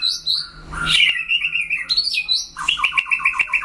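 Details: White-rumped shama singing in a solo duel: varied whistled phrases that slide between pitches, then a fast, evenly repeated trill of paired notes at the end, over a faint low hum.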